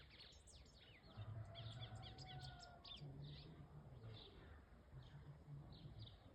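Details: At dawn, a White-throated seedeater gives bright, high chirps in short clustered bursts, pausing between phrases, over a soft low rumble.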